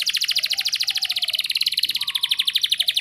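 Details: Canary song from Indonesia, played as a lure to prompt young canaries to sing: a fast, high, unbroken trill of rapid chirps, roughly thirteen per second, with a faint lower whistled tone underneath.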